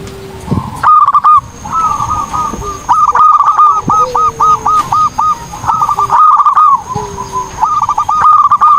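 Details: Zebra dove, locally called perkutut, singing actively, with the song offered as masteran training material for other birds. Bursts of quick, looped cooing notes at a mid pitch come in runs, broken by short gaps. Lower drawn-out tones and a faint steady high hum sit underneath.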